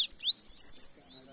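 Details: Brief phrase from a sibite (bananaquit): a rising thin whistle, then a few high, buzzy chips in quick succession.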